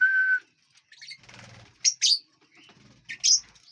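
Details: Lovebirds in a large aviary, feeding and flying; a steady whistled tone opens, followed by shrill, piercing chirps delivered mostly in pairs.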